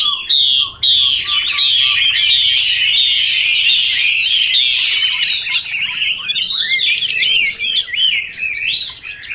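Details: Chinese hwamei giving loud, unbroken, rich warbling song, then looser, sweeping whistled phrases with brief pauses.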